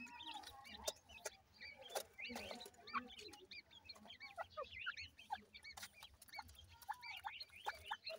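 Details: A crowd of playing partridge chicks chirp almost nonstop, thin looping peeps tumbling over one another at a fast pace, with occasional knocks in the background.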